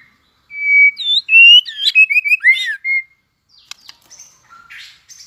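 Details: Competing song from a White-rumped shama newly in breeding condition and flicking its tail: a loud rapid phrase of clear, looping whistled notes, followed by soft scattered calls and faint clicks.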